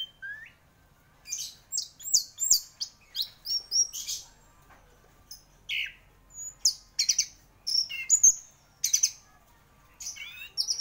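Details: Orange-headed thrush, called a champion gacor singer, delivers a fast series of varied high chirps, whistled slurs and clipped notes, repeated in quick bursts through the whole stretch, with a faint hum behind.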